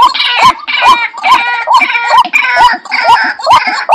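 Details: Ruak-ruak (white-breasted waterhen) call played to lure birds: a steady run of upward-sliding notes, roughly two per second, with dense harsh overtones and crackling between notes.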